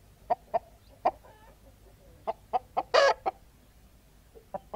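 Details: Hens cackling: short, clipped clucks in uneven bursts of two or three. One louder, harsher squawk comes near the middle, then a few more single clucks follow over a faint low background hum.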